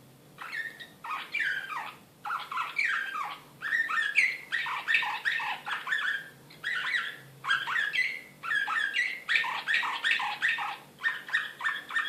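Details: Excited Serbian Slavujar canary, Belgrade 2016, pouring out long phrases of rapid chirps and slurred notes in bursts of one to two seconds, separated by short pauses, steady and energetic throughout.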